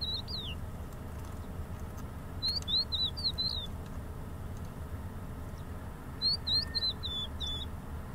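Crested lark singing brief phrases of clear, slurred, high whistles in three separate bursts, over a low steady rumble in the background.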